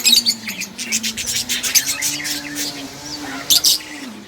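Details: A colony of breeding budgerigars at play gives quick strings of high twittering chirps, with a couple of louder notes near the end and a steady low hum underneath.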